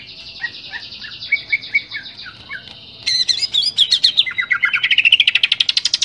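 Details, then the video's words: Greater green leafbird singing in a varied training recording for caged birds: soft repeated chirps give way to a burst of bright jumbled whistles, then a fast rising trill. "Masteran cucak ijo gacor suara jernih, cucak ijo ngeplong full isian"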